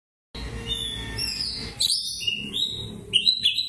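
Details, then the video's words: White-breasted Oriental magpie-robin (kacer dada putih) singing in fighting mode (narung), ngobra style: loud whistled and slurred phrases, some sliding down then rising, starting after a brief silence, with low rumbling background noise. "Kacer dada putih narung gaya ngobra"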